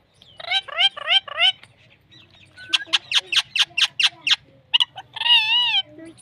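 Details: A pet talking parrot chatters in high, harmonic-rich bursts, mimicking speech-like syllables.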